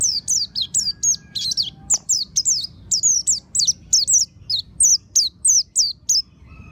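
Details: Oriental white-eye song used as a lure to make the bird open its beak and sing: rapid bursts of high, thin, twittering notes, each sliding down sharply, packed densely together with brief pauses over a faint low hum.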